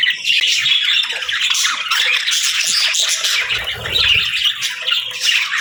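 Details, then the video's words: A crowd of parakeets and lovebirds kept indoors fills the morning with harsh squawks and quick chirps, steady and loud, with soft low rumbling midway. "Parakeet Morning Routine 🌞🦜 | Lovebirds Sounds for Lonely Birds 💛🐥"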